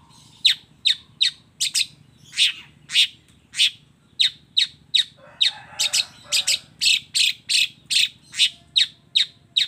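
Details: Long-tailed shrike delivering a combination song with fill-ins: a long run of sharp, rasping notes, about two to three a second, with a short lower chattering patch midway.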